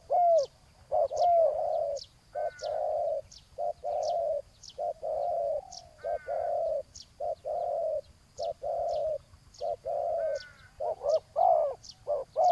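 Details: Spotted dove cooing steadily in a ground decoy contest with a wild rival. A long run of hollow, low coos is interspersed with bent, rising, harmonic-rich notes. Distant high chirps recur throughout.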